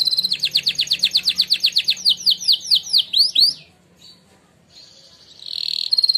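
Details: Contest-winning canary sings a fast rolling trill of about twenty bright, down-slurred notes that quicken toward the end, then pauses before a short buzzy phrase; a faint low hum underneath.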